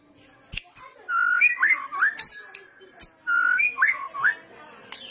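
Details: White-rumped shama (murai batu) song in a lure style called kretetan, sung vigorously: two clear whistled phrases, each a long steady note followed by quick looping slurred whistles. Sharp high clicks and a low steady hum sit underneath.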